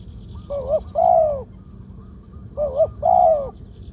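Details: Spotted dove song in the 'two kuk, khu-ang' pattern, medium-pitched, from a bird kept as a ground decoy: two paired phrases, each a brief quavering note then a drawn-out bowed coo, about two seconds apart.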